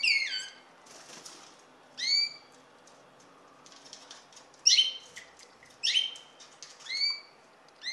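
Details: Common linnet giving short, sharp twittering call notes, some downslurred, at irregular intervals of roughly one to two seconds, with faint scratchy rustling between them.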